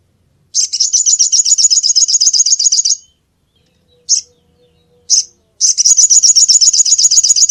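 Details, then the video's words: Sunbird calls used for luring birds: two long, very high, rapid buzzy trills of evenly repeated notes, separated by two brief single high chips in a quiet gap. "Suara Burung Madu Untuk Pikat"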